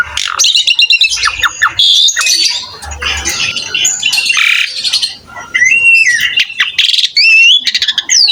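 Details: Asian pied starling song, varied and loud, used to tutor other starlings: dense harsh squawks and scratchy chatter, then clear upslurred and downslurred whistles toward the end.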